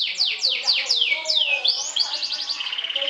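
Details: Competition canary in 'sobek-sobek' trilling song aimed at provoking opponents: six quick descending whistled sweeps, one upward slur, then a fast pulsing trill that runs to the end.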